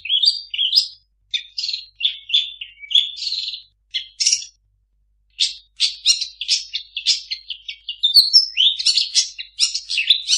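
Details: Long-tailed shrike singing a varied medley mimicking other birds, with rapid chirps, squeaky notes and scratchy slurs in quick clusters, a short pause midway, then a denser run of harsh and whistled notes.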